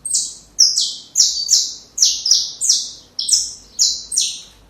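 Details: Song of a saffron finch for teaching chicks: about nine evenly spaced, buzzy high notes, each sliding slightly downward, with a quiet background.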